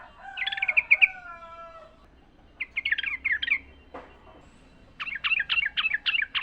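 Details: Wild sooty-headed bulbul, a natural recording used to train caged birds to sing: a warbled phrase with falling slurs, a jumbled chatter, then six evenly spaced sharp notes.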